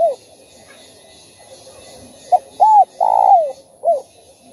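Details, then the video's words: Spotted dove cooing and calling, played to stir other doves into singing; several voice styles mentioned. Low hooting coos with a short opening note, a brief pair of coos, then a longer drawn-out coo and a final short one, over faint room hiss. "Chim Cu Gáy Kích Bổi Đủ Bài Thúc - Gù - Gáy Gọi"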